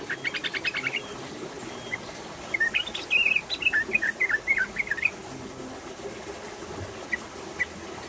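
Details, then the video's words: Lively female yellow-vented bulbul, fluffed and pushing its tail, giving a quick run of bubbly, chirping notes that rise and fall, with scattered chirps before and after, over a steady hiss. "SUARA ROPELAN TRUCUKAN BETINA GACOR"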